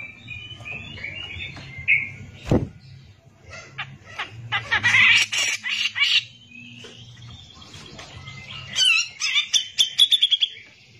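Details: Cucak jenggot, the grey-cheeked bulbul, in full 'gacor' song meant as tutor material for other birds. Scattered whistles lead into dense rasping bursts and a closing run of quick repeated chips over a low background hum.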